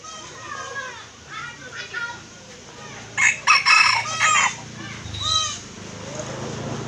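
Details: Red junglefowl from Aceh, Indonesia, whose call is used as a lure for trapping. Faint scattered bird calls come first. A loud, harsh, broken crow follows at about three seconds and lasts just over a second, then a shorter call.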